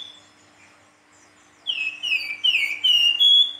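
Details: Silver-eared mesia in full, fluting song, giving a run of five bright whistled notes that slide down in pitch, rapidly strung together after a short quiet lead-in, with a steady low hum beneath.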